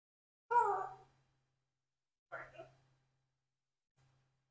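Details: A 4-year-old Congo African grey parrot, trying to say "cockroach" without the R, speaks two short, human-like syllable bursts about two seconds apart, then gives a faint brief sound, over a low steady hum.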